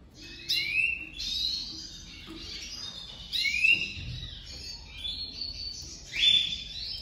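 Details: Domestic canary, one of a pair put together for the 2023 breeding season; on their first day together the female crouches for the male. Loud bursts of rising, slurred notes and buzzy trills come about every three seconds, with quieter twittering between, in a small room.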